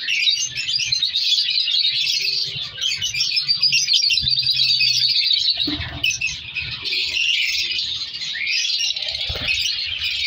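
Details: Colony of captive color lovebirds bred for mutations chirps and squeaks continuously in high overlapping voices, interrupted by a few loud knocks and clatters.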